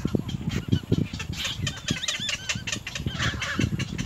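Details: Little egret chicks at the nest, trying to bite their mother hard; wavy, harmonic, warbling calls rise and fall in short bursts over heavy low thumping and rustling.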